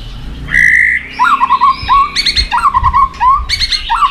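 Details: Competitive singing from a white-rumped shama, tail-flicking to goad a rival: a long steady whistle, then lower wavering whistled phrases mixed with harsh, rich-toned notes, repeated in quick succession.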